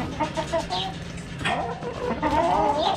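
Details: Backyard hens pecking at a cabbage give soft, quick clucks and brief quavering notes, with a couple of sharp rustling bursts and a faint background hum.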